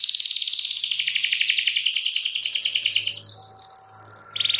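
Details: Lively canary song played to get other canaries singing: a fast high trill pulsing steadily for three seconds, then a thin sustained whistle and a sudden bright rapid burst at the close.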